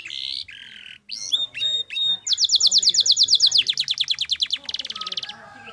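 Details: Canary singing a clear-voiced training song meant to prompt other birds to sing: varied whistled notes and buzzy phrases, then a long fast rattling trill of rising strokes and a dense high buzz at the end.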